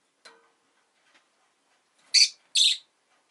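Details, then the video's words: Shrill chirping from a pet rosy-faced lovebird: a faint tick first, then two loud, harsh, rasping chirps in quick succession near the end. "Lovebird Chirping Sounds"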